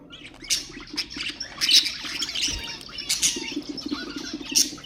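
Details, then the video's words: Pet budgerigars, whose chatter is meant to encourage other birds: continuous twittering with buzzy trills and high squeaks, loudest in brief bursts, one low thump midway, and a steady hum underneath. "اقوى أصوات طيور البادجي طيور الزينة أصوات تحفيز الطيور"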